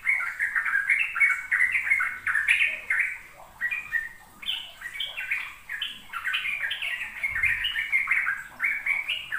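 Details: Rapid ropel song of sooty-headed bulbuls, used to coax young birds into singing: quick, chattering run of warbled notes stepping up and down, notes tumbling about three per second, with a brief low thump near the end.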